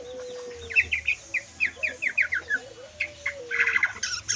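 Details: White-rumped shama song in the lepas trotol, full kriwikan style: a string of short, quick twittering notes repeated less than a second apart, ending in a dense chattering burst, with a faint low sliding tone behind.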